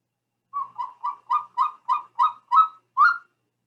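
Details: Recorded golden eagle call, described as almost whooping: a series of nine clean whistled yelps, each short and slightly upslurred, repeated roughly three times per second, the last notes rising a little higher, nothing else audible.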